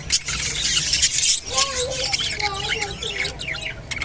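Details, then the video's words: Chattering Japanese budgerigars while mating, giving a fast stream of high scratchy notes that gives way to short wavering whistled phrases, over a constant low background hum. "japanese budgerigar mating and sounds"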